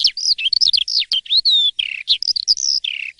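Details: Loud morning song from an Asian pied starling: a jumble of whistled notes, downward slurs and a longer pure whistle, sung continuously with brief breaks, nothing else audible.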